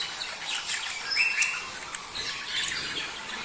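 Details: Budgerigar breeding-stimulation sound: quieter scattered chirps and warbles with a few clear whistled notes and sharp clicks over a soft background hiss.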